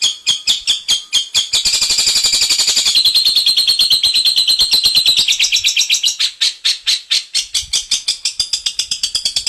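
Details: Long-tailed shrike, or cendet, with a song of the 'isian mantan' type: loud, scratchy notes repeated steadily, with a stretch of continuous grating chatter and then quicker harsh pulses.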